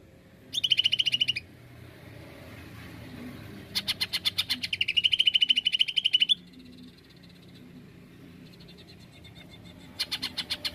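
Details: Cucak ijo, the greater green leafbird, delivers bursts of rapid, high, trilled notes, each burst lasting one to two seconds, separated by quiet gaps, with a faint low hum underneath.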